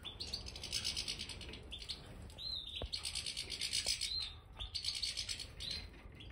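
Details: Major goldfinches in an aviary with new bird sand give dense, buzzy twittering in long rippling runs, with a few clear chirps and small clicks and knocks between them.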